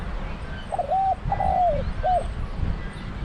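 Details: Single mellow phrase of a spotted dove kept as a trapping decoy: a short double coo, a long coo sinking in pitch, then a brief closing note, over low rumbling background.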